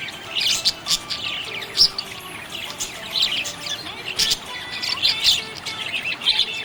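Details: Cheerful budgerigar chirping: busy stream of high, buzzy chirps and sharp tweets in uneven bursts, with a few louder clicks and faint steady tones behind.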